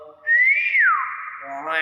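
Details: Nias hill myna producing a bright whistled note that climbs gently, then drops steeply into a long steady tone, with a man's voice starting over the end.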